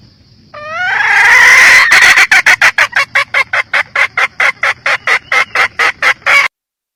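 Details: Female junglefowl calls: a drawn-out, rising, strained squawk with rich overtones, followed by a brisk series of roughly eighteen sharp, evenly spaced clucks of falling-and-rising tone before stopping abruptly.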